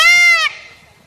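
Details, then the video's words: Indian peacock during its dance display uttering a single loud, harmonic, slightly rising wail of about half a second, which fades away into near silence. "peacock dance peacock Sound। indian peacock Call"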